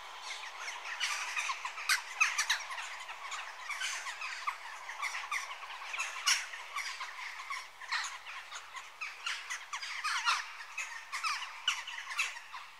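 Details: Noisy gathering of Western jackdaws, dense overlapping squawks and clipped chak notes running continuously without pause.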